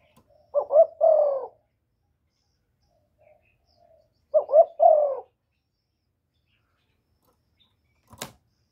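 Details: Spotted dove giving calling and cooing phrases used to stimulate male doves, recorded directly without background noise: two low, husky double-coo phrases about four seconds apart, long silence between, and a brief sharp click near the end.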